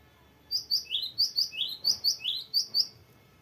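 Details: Cinereous tit, locally gelatik batu, delivering its varied long roll: crisp two-part phrases of a high whistle followed by a lower buzzy slur, about eleven notes in rapid rhythm over two and a half seconds.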